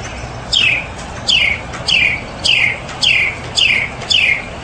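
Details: Mockingbird giving a steady series of loud, descending slurred notes, about seven in under five seconds, each alike, over low background hiss.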